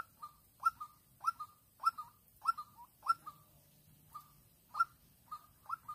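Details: Decoy white-breasted waterhen luring a rival in Vĩnh Long, 16/3/2022, giving short clipped notes repeated roughly every half second, each with a sharp accented start and a brief trailing tail; quiet background.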